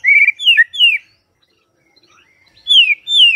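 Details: White-rumped shama singing in the morning, used as a lure so quiet birds start singing: three clear, loud whistled notes sliding downward, a short pause, then two more falling whistles, crisp and high.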